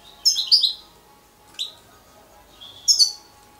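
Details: A European goldfinch fledgling utters three bright, high chirping bursts: a double twitter, a single short note, then a longer trilled chirp, with silence between them and a faint hum behind.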